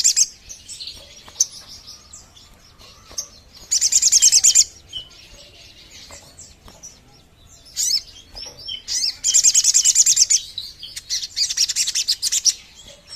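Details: Sogon bird lure call in three loud bursts of rapid, high, buzzy pulsed notes separated by quieter stretches of thin chirps and sharp clicks.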